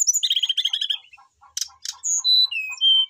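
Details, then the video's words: Singing Brown-chested jungle flycatcher calling out a rival: a fast stuttering burst of whistled notes, two sharp clicks, then long clean whistles at different pitches, some sliding down, over regular faint low pulses. "srdc memanggil lawan jadi gacor, sikatan rimba dada coklat gacor full isian"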